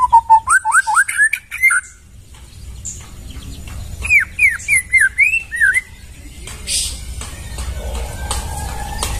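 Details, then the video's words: White-rumped shama song from the forest, kept as tutor material: clear rising whistled notes stepped upward, a pause, then a string of slurred downward-curving whistles repeated rapidly, followed by quieter background and distant noise. "Masteran murai suara asli dari hutan"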